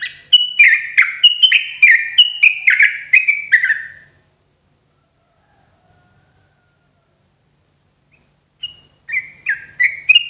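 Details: Sooty-headed bulbul (trucuk) singing in the morning, used as therapy sound for cage birds: a rapid series of bubbly, fluting whistled notes that dip and rise, about four seconds long. After a pause, a new burst of the same phrases begins.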